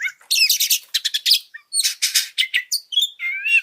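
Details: Oriental magpie-robin song used to provoke and train other birds into an agitated state: rapid varied chirps, squawky bursts and short whistled notes in quick successive phrases, with a rising whistled slur at the end.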